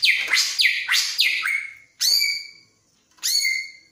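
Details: In breeding mood, a greater green leafbird repeats swooping downward whistles three times in quick succession, then two ringing notes that settle into steady tones.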